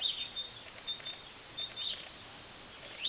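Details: Birds singing on an April morning in 2014 near Slovenske Konjice, Slovenia, looking toward Boč: short high chirps and thin whistled notes repeat at irregular intervals over a steady hiss of background noise.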